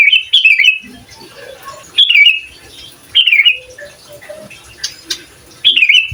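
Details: Sooty-headed bulbul singing lively, a recording meant to provoke other bulbuls and to serve as a training master: four short bubbly, slurred chattering phrases at intervals of one to two seconds, with faint lower notes between and a sharp click near the end.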